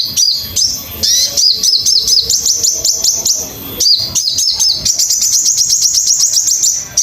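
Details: Sogon song for training birds to sing: clear, loud, very high chirps with a hooked, dropping shape, delivered in rapid strings. A brief pause is followed by a fast, steady, ringing trill.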